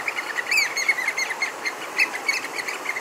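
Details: Variable oystercatchers at Little Huia in January 2018 give a rapid series of sharp, high piping notes, several a second, with one louder, ringing peep near the start.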